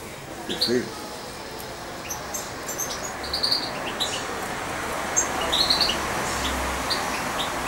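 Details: Young European goldfinch about two months old with its owner, hand-fed as a chick; scattered thin high chirps, a brief twittering cluster near the end, a low knock early and a steady background hum.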